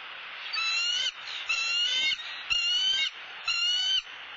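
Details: At a Southwest Florida bald eagle nest, a run of high, reedy whistles, each slightly rising, repeated about once a second against broad hissing noise.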